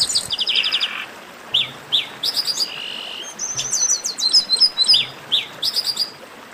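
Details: Chestnut-capped blackbird song: rapid stuttering high chips open, followed by separate rising whistles, a buzzy note, then a rich tumbling series of sharp whistled phrases and repeated chirps from several overlapping voices.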